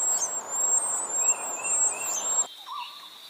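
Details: Hungry chicks fed by their mother: intense high wavering squeals with lower chirps for about two seconds, then an abrupt cut to a quieter tone and a short lower note.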